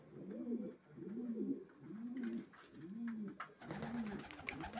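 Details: Racing pigeons cooing indoors: low, rounded arching coos repeated roughly once a second, with several birds overlapping and faint clicks and rustling toward the end.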